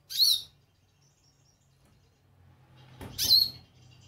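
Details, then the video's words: A calling goldfinch gives two brief, bright high calls about three seconds apart, with near silence between them. "Pintassilgo chamando"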